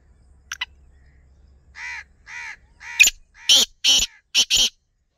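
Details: Black francolin giving a loud harsh call: soft nasal, harmonic notes build into a grating, rhythmic run of five strident notes, the last two doubled.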